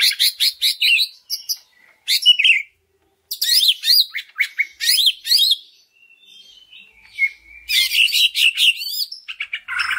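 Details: Greater green leafbird singing as a lure for other leafbirds: clusters of rapid, high, sweeping chattering notes separated by short gaps, with one thin sustained whistle before a final busy burst.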